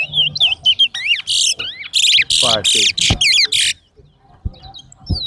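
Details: A Large-billed Seed-Finch (towa towa) in a singing competition at Lamaha bird ground sings a fast, varied run of sweet whistles, slurred rising notes and buzzy trills for about four seconds, then falls quiet amid faint knocks.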